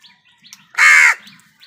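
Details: A single harsh crow caw, loud and buzzy, lasting about a third of a second amid faint background chirps, from wild birds fighting with crows over food.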